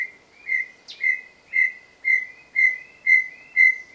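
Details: A pair of Brown Tinamou (Crypturellus obsoletus) call just after dawn at Trilha dos Tucanos, São Paulo state, Brazil, 30 Nov 2016: pure, even whistles about two per second, with fainter answering whistles between them and one brief sharp chip.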